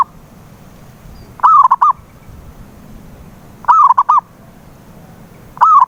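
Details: Lure recording of a zebra dove, meant to coax a silent dove to sing, with three soft cooing phrases about two seconds apart, each an upslurred coo trailing into two or three rapid clipped notes over quiet background hiss.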